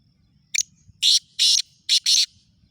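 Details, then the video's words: Black francolin calling loudly: a harsh, rasping series of five broad scratchy notes. A brief first note is followed by four longer grating ones, and the last two come close together. The background is quiet apart from a low rumble. "kala teeter ki awaz"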